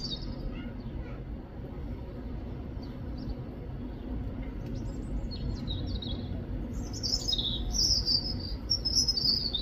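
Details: European robin in the UK, faint scattered high notes at first, then a bright run of rapid, very high twittering and slurred whistles in the final seconds, set against continuous low rumbling noise.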